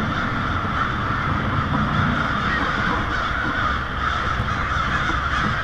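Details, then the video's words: An evening gathering of American crows flying in to roost on a street in Lansing, Michigan, 1 February 2016, in winter. Unbroken layered cawing from the flock fills the whole stretch. "Large murder of Crows"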